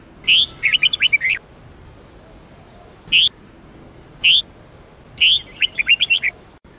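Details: Sông Kôn style song of a red-whiskered bulbul, used daily for training: a long run of lively chirped whistles, two single sharp notes, then another quick warbling phrase.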